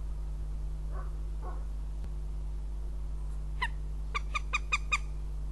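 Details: Northern goshawk at its nest in Riga, Latvia, 14 April 2017: two soft, low notes, then a quick run of about six sharp, nasal kek notes near the end, over a steady electrical hum.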